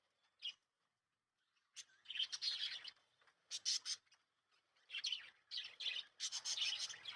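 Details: Lovebirds kept at home at night-time, around sleeping time, give bursts of high, harsh chirping and chattering with short pauses between outbursts.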